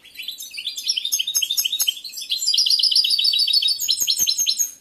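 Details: A male European goldfinch in breeding condition, a competition-quality bird, sings a fast, unbroken run of bright, tinkling twitters and liquid trills to a female who ignores him, then stops singing to eat.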